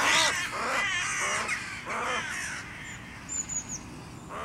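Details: Crow in a fight with a goshawk, warding off its claws: a few hoarse, raspy caws in quick succession at the start, fading into quieter rustling with a faint high squeak.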